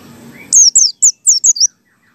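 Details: White-eye giving six high, thin, down-slurred notes in a quick run over about a second, with faint background hum before; wild-type song used as a lure call to get other white-eyes singing.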